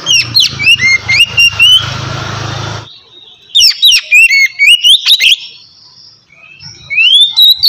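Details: White-rumped shama in relaxed 'ngeplong' song for coaxing lazy birds: bursts of sharp whistles and chips; a low engine-like rumble under the first phrase, then a quieter rising whistle at the end.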